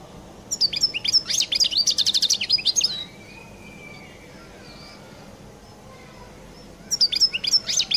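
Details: Collo goldfinch with its distinctive song, a lively burst of buzzy twitters and rapid repeated ticks lasting over two seconds. A long pause follows before another twittering phrase begins.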